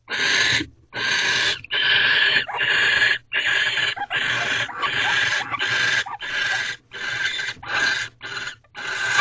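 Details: Barn owls during a mating ritual in a nest box at night, 2:15 am on 3 March 2023, the thirteenth night: harsh, broadband hissing screeches in long bursts, nearly continuous, separated by brief silent gaps about once a second.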